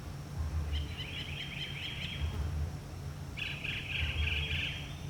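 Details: Northern mockingbird (Mimus polyglottos) singing along community paths, a lifelong learner whose males sing up to 200 songs, unmated males more often: a rapid chattering high phrase of repeated notes, a pause, then a different buzzy, squeaky phrase, over a steady low rumble.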